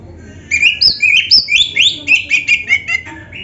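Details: Oriental magpie-robin singing for training captive birds: after a brief quiet start, a steady chain of varied whistles, quick slurs and buzzy chirps, roughly a dozen notes at an even pace, fading on a final level tone.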